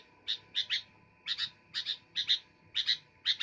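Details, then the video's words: Sooty-headed bulbul chirping in energetic pairs, with strong bright notes spaced about half a second apart. Low background rumble is audible. "Burung kutilang gacor"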